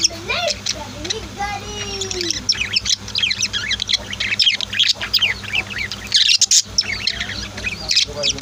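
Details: Pet budgies and lovebirds kept at home give a dense stream of sharp, high chirps and squawky tweets, overlapping rapidly throughout, with a few lower warbling notes near the start and a faint steady hum beneath.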